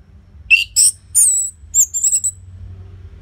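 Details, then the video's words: Caged orange-headed thrush in loud, vigorous song used to coax silent birds into singing: a quick run of bright, high, slurred whistles and short chips over about two seconds. "Pancingan & Masteran ANIS MERAH Gacor Jeda Rapet Suara Keras || Burung Macet Pasti Ikutan Bunyi."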